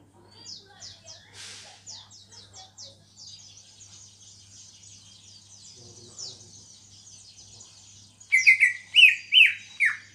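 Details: A captive greater green leafbird, newly singing after two months of care following heavy moult, offers soft rapid high twittering for eight seconds, then bursts into a loud warbled phrase of quick, varied notes; faint steady hum in the background.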